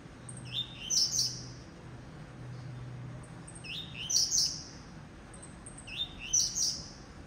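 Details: Captive blue-black grassquit singing three short buzzy phrases, each a rising sweep ending in a sharp high burst, spaced about every two and a half seconds over a low background hum.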